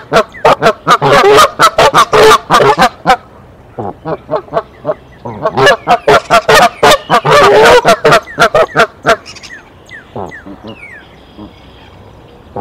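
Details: Alarm honking by the mother goose at her Decorah nest, 27 March 2023, as the father approaches: about nine seconds of rapid, raucous honks that thin out and stop, leaving quiet with faint small-bird notes.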